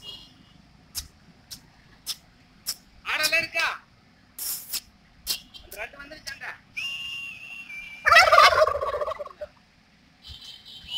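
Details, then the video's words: Male turkeys displaying to females gobble in loud, rapid rattling bursts, two strong ones a few seconds apart, amid sharp clicks and other farmyard noises. "Mating dance & Sound Effect Turkey birds"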